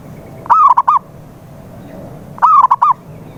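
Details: Lure recording of a zebra dove for making a mute dove sing: two cooing phrases, each opening with a drawn coo and ending in a rapid string of short, bubbling coos, with faint low rumble behind.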